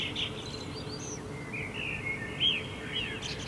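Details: Night song of a common blackbird in Helsinki, Finland, July 2016, full moon setting over rooftops: rich fluting, gliding phrases and a sharp bright note midway, ending in a high squeaky trill, with constant low background hum.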